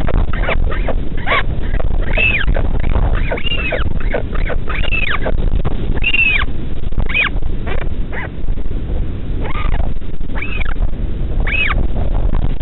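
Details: Northern royal albatross chick fed by a returning parent in the middle of the night at the Pukekura/Taiaroa Head colony near Dunedin, New Zealand; arched, whining calls repeated about once a second over constant low wind rumble.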